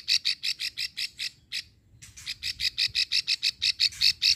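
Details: Female plain prinia, Ulujami, Central Java, giving the long lure call for males: about nine rapid high clicks, a short pause, then a faster run of about twelve more.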